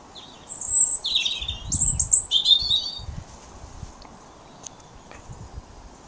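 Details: European robin singing before dawn in late January, still dark, under street lamps, proclaiming breeding territory; a short phrase of high thin whistles and quick twittered notes, with other robins singing nearby and low background rumble.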